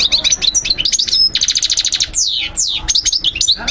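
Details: European goldfinch song used as a learning tape for birds: quick tinkling chirps leading into a fast buzzy trill, then long descending whistled slurs and more rapid twittering, loud and clear.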